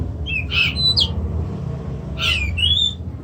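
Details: Caged Oriental magpie-robin (kacer) utters two short bursts of harsh, squawky notes with a whistled tail, about one and a half seconds apart, over low background hum.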